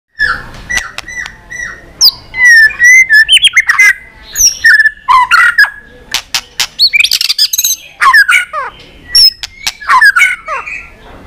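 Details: White-rumped shama, flicking its tail and singing hard in competition, in a long wild-style song of many voices: loud whistled phrases with sharp clicks, slurred sweeps and rapid chattering notes in bursts.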